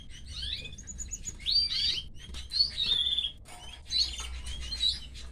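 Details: Female canary feeding her chicks as the young beg with high, wavering, squeaky chirps. The chirps swell into louder clusters about once a second, with faint rustling between them.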